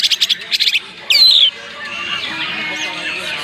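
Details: Banyuwangi greater green leafbird in filled song: a quick rattle of pulsed buzzy notes, a loud piercing whistle sweeping downward, then quieter twittering chatter.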